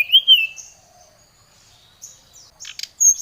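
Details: Agitated Brown-chested jungle flycatcher calling out a rival: one loud, wavering whistle opens, a long quiet gap follows, then high thin chirps and a sharp whistle close the short burst.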